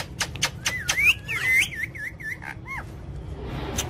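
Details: Pet ring-necked parakeet talking, described as funny and angry: a run of rapid wavering whistled syllables in a mimicked talking pattern, preceded by sharp clicks, over steady low background hum.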